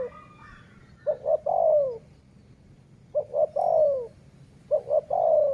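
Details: Decoy dove coos three times in steady succession, about two seconds apart. Each phrase is two short hollow notes and a longer descending one. A man speaks briefly afterward, and faint birds twitter early on.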